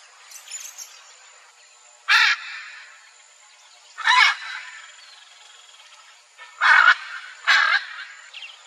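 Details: A wild pair of Hyacinth macaws in Brazil calls to each other with loud, harsh, grating squawks, about four spaced a second or two apart, over a faint steady high hiss.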